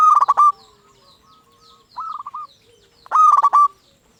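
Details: A local zebra dove singing, kept to stir quiet zebra doves into answering song; two loud rattling bursts of quick staccato coos, separated by one softer, shorter rolling phrase.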